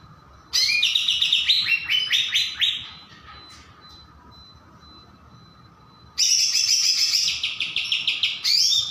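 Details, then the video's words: Greater green leafbird, described as chatty and in full vigorous song, gives bursts of rapid, high, bright chirping and warbling notes in two long runs separated by a quiet gap, with a faint steady hum underneath. "BURUNG CUCAK IJO 🐦🐦🐦 CEREWET DAN GACOR"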